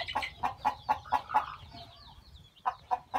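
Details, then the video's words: Chickens on a farm during the hatching of newborn chicks from a hen's eggs; a quick series of six soft, even clucks about four a second, a pause, then three more clucks. "hen hatching egg to chicks"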